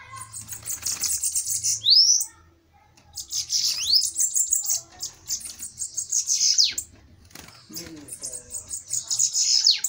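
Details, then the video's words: Bananaquits in a heated duel giving high, fizzy trilled phrases with swooping notes, alternating with brief lulls and soft background rustling. "DUELO DE SIBITES FOGOSOS!"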